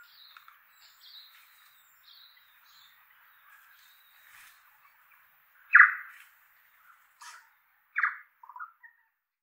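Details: Tui flock in oak trees, inland Kapiti, New Zealand: soft distant warbling notes, then a few loud abrupt calls and a brief clicking sputter after long quiet gaps.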